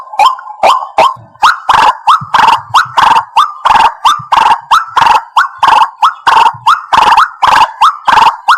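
White-breasted waterhen giving loud, harsh, croaking notes repeated about twice a second in an unbroken series, with no other clear sounds.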